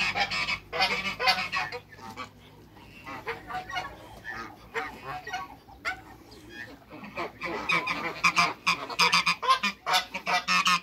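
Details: Backyard flock of African geese, two males and one female, giving a dense run of harsh, overlapping honks with brief pauses between bursts.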